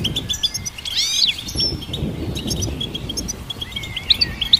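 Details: Goldfinch delivering scattered high chirps, a swooping buzzy flourish early on, a quieter twittering stretch, then sharp bright notes at the end; steady low background noise throughout.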